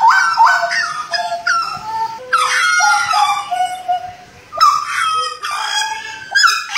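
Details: Butcherbird from Jayapura, Papua, in strong song: ringing fluted whistles and abrupt downward slurs in irregular bursts, with brief gaps between phrases.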